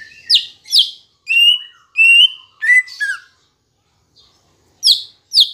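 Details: Green leafbird song used as a lure for kept birds to start singing: a varied run of loud, clear whistles and downslurred chirps, some steady, some falling, a brief pause, then two more sharp chirps.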